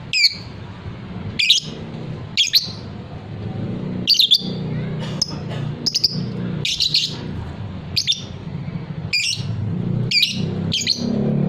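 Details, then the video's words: Fighter lovebird, a cage bird prized for long ngekek trilling; sharp squeaky chirps repeated roughly every second throughout, loud and high, over a constant low rumbling hum. "suara lovebird paud figter"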